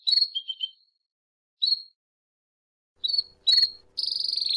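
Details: A Belgian canary sings the 'campainha' (bell) song: high, clear notes in short bursts, with sliding whistles and bright chirps, ending on a fast, ringing, bell-like roll.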